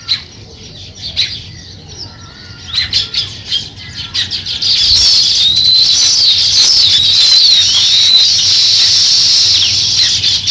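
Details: Sparrow beginning to build its nest, heard first as sparse, separate chirps that swell midway into a continuous, busy stream of high twittering.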